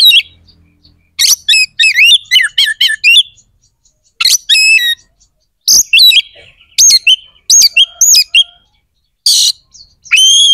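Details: White-rumped shama in full song used to rouse other shamas' aggression and breeding drive: rapid runs of high, looping whistled notes and chattering phrases, nearly continuous with brief gaps.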